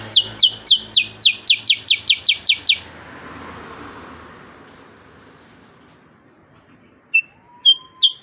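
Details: A black-headed bulbul opens with a rapid burst of ringing downslurred whistles for about three seconds. A long hissy pause follows. Three isolated whistles and a thin rising tone come at the end.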